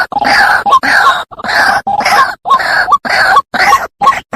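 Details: Trapping lure of the White-breasted waterhen. Rough, nasal croaking notes repeat about once every half second, each with a small squeaky inflection at its end.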